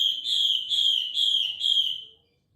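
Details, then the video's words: Female hwamei call used as a lure: a clear whistled note around mid-high pitch, swelling and repeated about four times over two seconds with slight wavering, then fading out; quiet background. "Pancingan hwamei betina."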